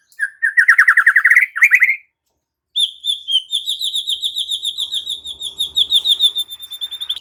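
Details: White-rumped shama unloading its repertoire in energetic song: a buzzy rattling trill, a short pause, then a long, fast, high-pitched trill that wavers steadily for several seconds.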